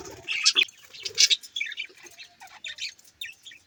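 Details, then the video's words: Budgerigars twitter and warble, a few loud sharp chirps at first, then softer scratchy chatter and short whistled notes. "Budgies chirping sound"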